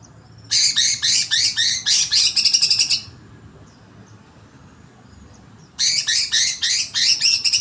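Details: Greater green leafbird, agitated, delivering two bursts of fast harsh chattering notes repeated about four per second, separated by a pause of nearly three seconds with faint background hiss.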